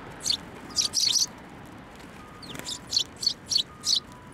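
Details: High, clipped chirps from sparrows visiting a bench for food at a Tenmangu shrine on 17 December 2023, first a quick cluster, then a pause, then four evenly spaced notes.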